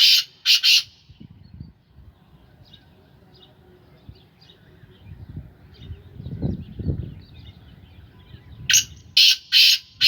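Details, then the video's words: A kept Sindhi Gangas black francolin: the tail of a rasping call opens, several seconds of low rumbling and faint chirps follow, then a fresh harsh call of four grating bursts closes it. "Kala teetar ki awaz / black francolin voice کالا تیتر کی آواز"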